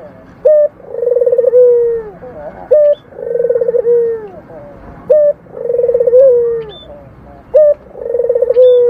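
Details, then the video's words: Local puter dove giving its purring coo: a rolling, pulsed trill flowing into a smooth, slightly falling low coo, with a short sharp note between phrases. Four phrases in nine seconds over a quiet background. "suara puter lokal mendengkur"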